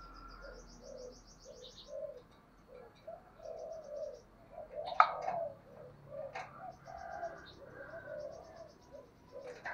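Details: Spotted dove cooing, played as a lure so that wild doves coo back: soft, low, hollow coos in repeated short phrases. Thin high chirps from other small birds and a few sharp clicks are also heard.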